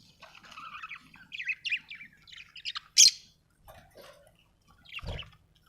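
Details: Softer budgie warbling made of quiet twittering high notes, then one sharp loud squeak in the middle and a few scattered chirps; a low thump near the end.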